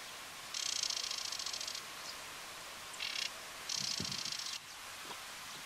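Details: Spectacled warbler of the subspecies orbitalis on Fuerteventura, Canary Islands, Spain: three dry, buzzy rattling bursts, the first over a second long, a short one, then another long one, against a steady background hiss.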